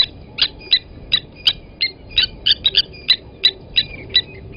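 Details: Steady string of ringing metallic tinks, about three per second, from Blacksmith lapwings at Gowrie dam, Sabi Sand, South Africa, 29 August 2020, where one adult grabbed a chick from the nest and killed it.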